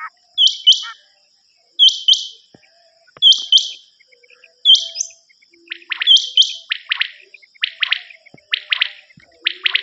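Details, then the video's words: Common quail from a hunting lure cassette: crisp, high triple-note phrases repeated every one to two seconds, followed by quicker sequences of sharp notes, with no other clear sounds. "نیوبٹیر کی کیسٹ"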